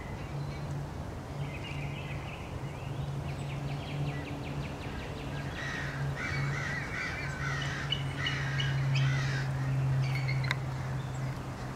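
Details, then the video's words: A flock of American crows harasses a male bald eagle near its nest in Norfolk, 30 March 2016; scattered rasping caws build into overlapping bursts in the second half, a low steady hum throughout. "Crows attack"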